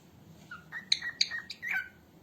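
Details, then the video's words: Female cockatiel, recorded as training sound for cockatiels: a short series of bright chirps and sharp high notes, some rising, spread over about two seconds, with a faint low hum beneath. "som de calopsita fêmea voz de calopsita calopsita canta Assobio de Calopsitas"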